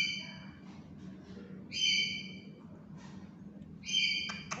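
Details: Tame, talking black-capped lory kept as a pet utters two clear, tonal, harmonic whistled calls about two seconds apart, each steady and about half a second long, with faint room hum beneath.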